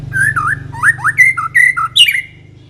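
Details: Short burst of white-rumped shama ngekek song: a handful of clear looping and rising whistles, ending in a higher slurred note, over a steady low hum.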